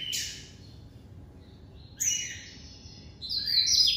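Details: Captive-bred Double-collared seedeater (coleiro) singing in the classic song style: short bright buzzy bursts high in pitch separated by silent gaps, ending in a louder slurred phrase. Faint low background hum.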